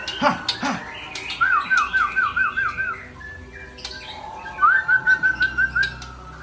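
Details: Loud song from a white-rumped shama (Murai Aceh): two sharp opening notes, then a rhythmic series of repeated slurred whistles, a pause, and a second rolling series of repeated whistled notes.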